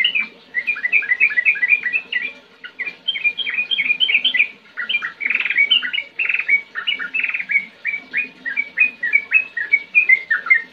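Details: Sooty-headed bulbul in lively gacor song of the ngetir-ngerol style, used as a lure for young birds: a dense, continuous run of bubbly, chirped notes rising and falling, packed several per second, over a faint low hum.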